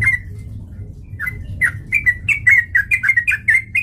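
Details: Vocal sooty-headed bulbul heard as a lure to provoke fighting: a few isolated chirps, then a fast run of crisp, bouncing notes, some rising and falling, over a soft low hum.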